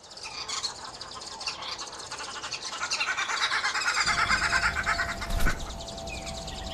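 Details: Red-billed wood hoopoe, also called green wood hoopoe, a bird of small flocks of two to eight that is usually heard before seen; harsh rapid cackling notes build into a loud pulsing chorus mid-clip, then fade.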